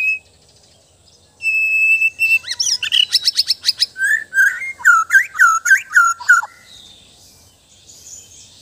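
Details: White-rumped shama from Sabah, Borneo, opening with a steady whistle, then bursts of rapid stacked ticks and a long string of loud, looping chirped notes repeated several times a second before falling quiet.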